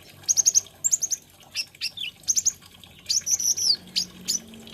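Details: Olive-backed sunbird, called kolibri ninja or konin, singing high, thin notes in quick bursts of three or four, with short twittering phrases and a sweeping trill after brief pauses.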